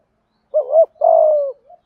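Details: One 'thúc gù' phrase from a Malaysian spotted dove: a short wavering double note, then a sustained low coo that falls slightly, ending in a faint soft tail.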